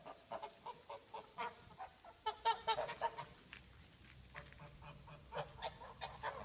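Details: Geese in a farmyard giving short, nasal, harmonic honks in loose irregular bursts, about a dozen across six seconds, loudest in a quick cluster around the middle, with quiet gaps between.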